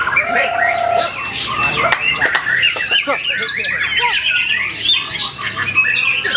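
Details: White-rumped shama, newly acquired, Ciseeng, Bogor, 10 August 2021: opens with a long level low whistle, then a rapid jumble of sharp chips, trills and upward-sliding whistles.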